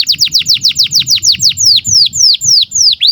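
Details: Canary in breeding condition singing a 'cuit cuit' song used to train young canaries: a rapid run of loud, high, downslurred whistles repeated about three times a second, slowing slightly toward the end.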